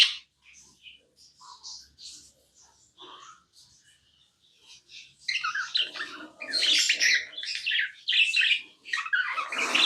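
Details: Pet budgerigar starting with soft, sparse chirps and squeaks, then breaking into loud, dense scratchy warbling and harsh chirps through the second half.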